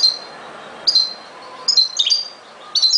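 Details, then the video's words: European goldfinch song: quick bursts of high, tinkling twitters and liquid trills with brief pauses between phrases. "غناء جميل لطائر الحسون chante du chardonneret"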